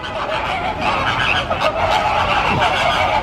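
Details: Many flamingos moving as a flock at Busch Gardens Tampa Bay in Central Florida, giving a steady wall of goose-like honking, rapid and overlapping throughout.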